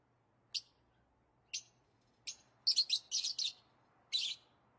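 Lovebird giving sharp, high chirps, at first spaced about a second apart, then a quick burst of several in a row; otherwise quiet.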